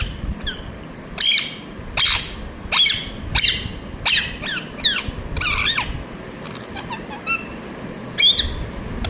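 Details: A parrot said to repeat "mithu mithu": repeated short, harsh squawks about every half second to second, some with bending harmonics, over a constant faint hiss.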